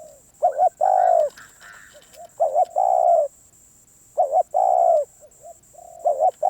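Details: Low hollow cooing of a spotted dove, a tough wild-caught bird warming up its voice; phrases of two clipped notes and one sustained coo recur about every 1.9 seconds, with soft quieter coos between and a steady high hum.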